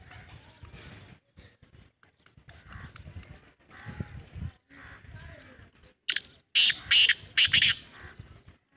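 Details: Black francolin calling after several seconds of low, muffled background noise: a sudden loud series of four or five harsh, scratchy notes packed into under two seconds near the end.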